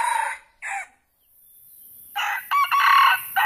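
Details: Red junglefowl crowing: two short harsh bursts at the start, then after a near-silent gap a longer loud broken crow with raspy harmonic notes, partly cut off at the end.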